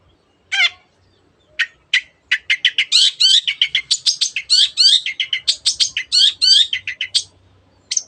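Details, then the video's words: Long-tailed shrike in full, lively song, used to excite other birds into singing: a few scattered harsh notes, then a fast, dense chatter of high squeaky and whistled notes for about five seconds, ending abruptly. "cendet gacor teot teot"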